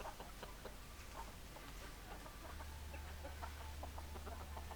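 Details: Hens and roosters at close range, heard as a flock: short, dry clucks overlapping in irregular bursts, more than two per second, beneath a steady low mechanical hum that grows in the second half.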